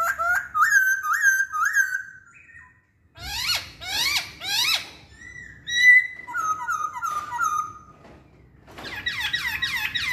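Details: Chinese hwamei song: a run of three repeated slurred whistles, a pause, then several harsh downsweeping buzzy notes, steady level whistles at two pitches, and a closing burst of rapid rising-falling chirps.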